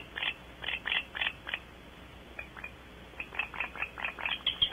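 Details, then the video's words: Barn owls at Audubon Starr Ranch, California, give strange short, breathy, hissing whistles in quick bursts of about three a second, with a brief pause midway. "Kicking up a stink and strange whistles - Audubon Starr Ranch Barn Owls"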